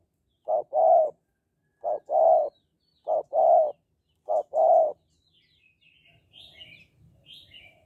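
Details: Spotted dove in 'Hạp Bổi' voice style, meant to stimulate males to call quickly: four low two-note coos, a short note followed by a longer one, then fading; faint chirps of other small birds at the end.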